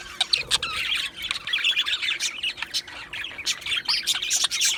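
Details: Two male Australian budgerigars producing chirpy, chattering warble made of short squeaky syllables and upward-bending whistles, coming in uneven pulses.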